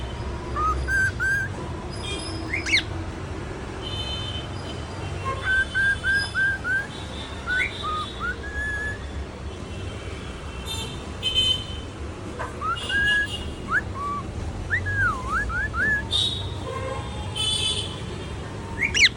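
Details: Cockatiel (Nymphicus hollandicus) whistling a song in the morning: short, clear slurred notes rising and falling over a low hum.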